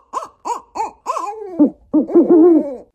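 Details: African wood owl calling: a series of short rising hoots, then longer wavering hooted notes run together in a rapid, bubbling sequence, no other sounds.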